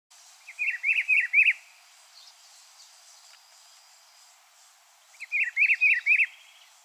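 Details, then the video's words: Rufous-browed peppershrike (pitiguari) singing: a short rich phrase of about five slurred, warbled notes, given twice several seconds apart, over a faint background hiss. "canto do pitiguari"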